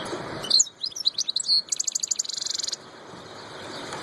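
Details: European goldfinch, called a royal goldfinch, in full song: tinkling twittered notes lead into a fast, metallic, buzzy trill of evenly spaced pulses lasting about a second, then quiet background hiss.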